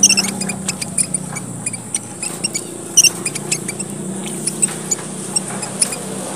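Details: Red munia, one of the smallest birds of Papua, Indonesia, used as a lure sound: tiny high chips and squeaks scattered irregularly over a steady high hiss, with a low hum underneath.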